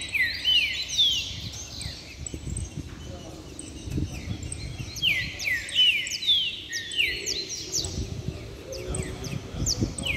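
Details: Several caged saffron finches in full song, loud slurred falling whistles overlapping with crisp high clicks, phrases stacked rapidly and continuously, faint low rumble beneath.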